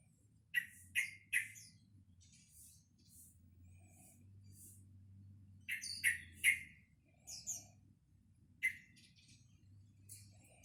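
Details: Young caged sooty-headed bulbul, about two months old when obtained in early November 2018, practising its song: short sharp chirps in clusters of two or three, with soft high twittering notes between, over a low steady hum.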